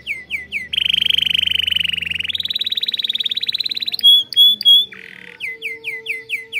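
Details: Canary in a breeding aviary, singing to stimulate its chicks: slurred descending notes, a long loud rolling trill stepping up in pitch, sharp whistles, a low buzzy note and more slurred syllables.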